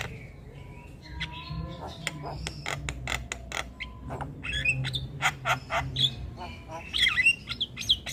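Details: Javan myna singing vigorously, a training recording for other songbirds, with mixed harsh clicks, short whistles and rasping notes over a low background hum, some faint and layered.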